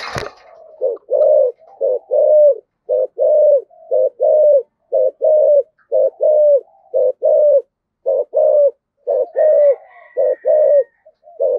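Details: Spotted dove in the 'thổ' song style giving urging coos meant to stir wild doves to reply: a steady run of low, mellow coo notes repeated roughly once a second, with a sharp click at the start and a faint high tone later.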